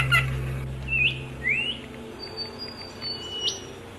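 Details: Bird chirping: two rising whistled slurs followed by thin, very high drawn-out whistles, softly repeated over a faint low hum.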